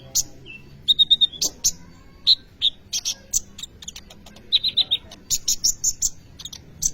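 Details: Energetic sunbird song, the kolibri ninja type used as a training lure for other birds: clusters of very high ticking notes and short sustained thin whistles, tumbling fast in irregular phrases.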